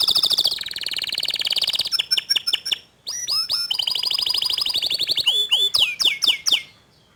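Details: Canary song from a session where young and untrained canaries respond after hearing a loud, continuous gacor dor canary; rapid buzzy trills near the top of the range, then sharp downward-sweeping notes, then rolling trills and a few repeated falling whistles.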